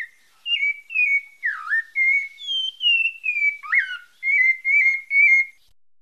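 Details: Song of a pale-breasted thrush from Bahia: fluty whistled notes sliding down, two deep dipping swoops, then a close string of short repeated whistles, with nothing else audible.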